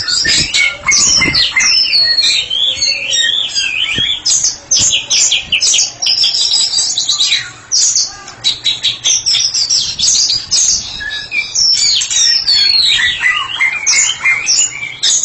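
A White-rumped shama sings a loud, continuous, rich song of rapid whistles, rattles and sweeping phrases, varied and almost unbroken throughout.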